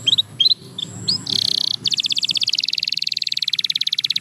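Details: Canary song played to restart a quiet canary's singing: a few short chirps, a dense buzzy burst, then a long fast evenly pulsed trill over faint low background hum.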